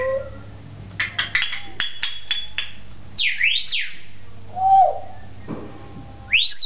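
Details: Talking African grey parrot in a pet shop at Beit Hanina, Palestine: a quick run of sharp clicks, two swooping dipping whistles, a short falling note and a final rising swoop, with low hum throughout.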